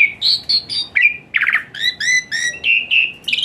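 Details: Asian pied starling song used as therapy for a reluctant singer; clear whistled notes, a harsh rasping burst, then harmonic whistles repeated in an even rhythm.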